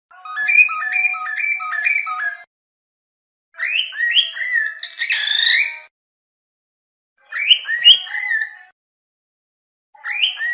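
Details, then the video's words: Cockatiel warbling in several bouts: a fast repeated pattern of stepped whistled notes over a faint steady tone, then rising buzzy sweeps, with short chirpy phrases after pauses. "تغريد طائر الكروان أو الكوكتيل"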